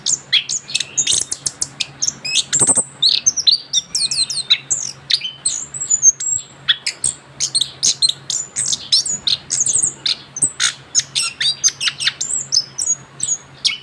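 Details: Orange-headed thrush, a young bird freshly through its moult, delivers a long unbroken ngerol song: dense high squeaky notes, sharp chips and quick whistled flourishes run together without pause, over a faint low hum.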